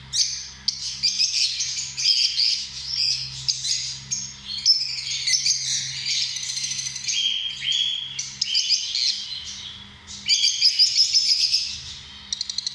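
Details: Lovebirds chattering in a dense, continuous stream of shrill, high chirps and squeaky twitters that overlap almost without pause, fading briefly near ten seconds before a loud burst; a faint low steady hum runs underneath.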